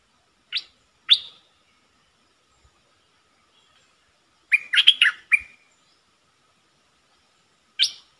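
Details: Decoy bulbul, August 2021. A few isolated sharp chirps are spaced by long silences, with one brief cluster of slurred notes midway, in a quiet setting.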